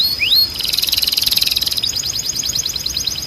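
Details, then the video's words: Timbrado canary song used for training canaries to sing: a rising whistled slur, then a dense buzzy trill that breaks into rapid repeated high notes, with a steady high whistle held beneath. "Canário Timbrado 🎶 Som de Alta Qualidade para Encarte e Treinamento"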